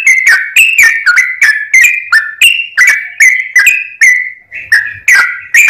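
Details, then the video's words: Sooty-headed bulbul singing energetically, a lure recording: quick succession of short whistled notes sliding between two pitch levels, evenly loud, one brief softer pause near the end. "trucuk gacor || trucuk pikatan"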